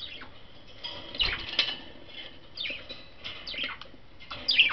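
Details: Five pet budgerigars out of their cage, investigating on top of it and exploring a toy barrel; scattered short bright chirps and warbles with some wing flutters and light tapping.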